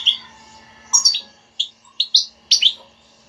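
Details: Goldfinch batbata to prompt singing: scattered bright twitters and squeaky notes, several in quick succession toward the end.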